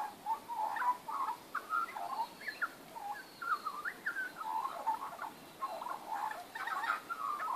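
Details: Magpies in a backyard, recorded 19 April 2014, giving a rich warbling, fluting song of quick gliding notes with yodel-like pitch jumps, in bursts running through the whole stretch, no other clear sounds.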